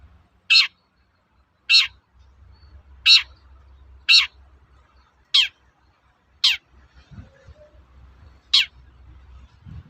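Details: Long-tailed shrike's typical toet-toet call, used to goad other shrikes into singing: seven raspy down-swept notes roughly one second apart, slowing toward the end, over a steady faint low hum and a couple of soft thumps.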